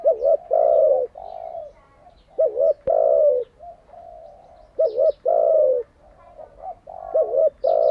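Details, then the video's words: Repeated coo phrases of a spotted dove for training captive birds: low, mellow double notes followed by a sustained falling coo, phrases coming about every two seconds, with a single sharp click. "Tiếng chim cu gáy mới nhất, dùng luyện chim gáy bổi và mồi hàng ngày"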